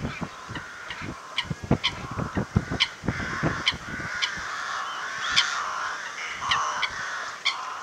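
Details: Eurasian coots sparring on water at WWT Slimbridge's Zeiss Hide, mid April near midday, misty weather, handheld Panasonic SDR-S26 camcorder; rapid splashing and thrashing throughout with short harsh calls, one louder call midway, over a murmur of other waterbirds.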